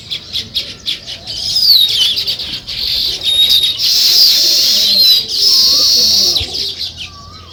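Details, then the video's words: Morning sparrow chirping by weaver nests, swelling from scattered chirps into dense buzzy group chatter in waves, with a lower wavering whistle from another bird near the end. "Sparrow Morning Chirping Sounds"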